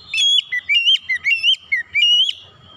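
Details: Oriental magpie-robin song used as a lure to get other birds singing: a fast run of loud, clear whistled notes, each slurred up or down, about eight notes in just over two seconds, then a faint fading tail.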